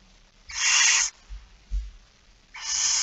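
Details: Barn owl begging at feeding, early morning of 13 September 2019: one harsh, breathy screech, then low knocking sounds, then a second screech that is cut off at the end.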